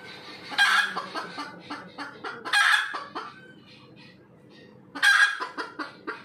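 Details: Red junglefowl calling after laying an egg: loud harsh cackling bursts around every two seconds, each a rasping squawk followed by fading clucks, with a steady low hum underneath.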